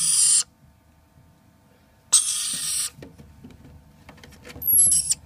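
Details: Two hand-raised lorikeets kept as pets, giving short harsh screeching bursts: a loud shriek near the start, a longer grating screech around two seconds in, and a final shrill squawk with a whistled tone, with soft rustles between.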